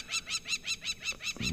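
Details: Crowned lapwing, likely nesting nearby, shouting harsh, strident alarm notes about five a second at lions resting in an open clearing on a morning safari, 13 May 2024, with a low rumble at the end.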